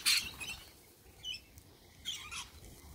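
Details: Harsh, noisy screeches from a sulphur-crested cockatoo in the morning: a loud squawk at the start, a softer one mid-way, then a rasping double burst near the end.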